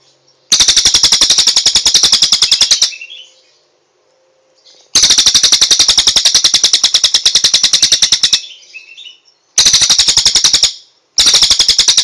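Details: Cililin song used as a master recording for training songbirds: loud, rapid high trills of evenly spaced pulses, each burst lasting two to four seconds, separated by short silences.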